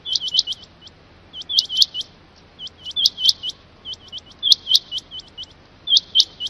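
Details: Strong, clear Rain quail calls: metallic, rising notes given in quick clusters of two to four, the clusters repeated steadily every second or so.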